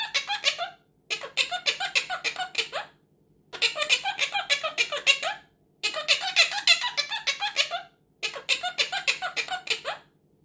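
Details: Quaker parrot talking indoors as it is taught to say "tickle tickle". Five bursts of quick, high, scratchy, laugh-like syllables come one after another with short gaps, and no other sounds are heard.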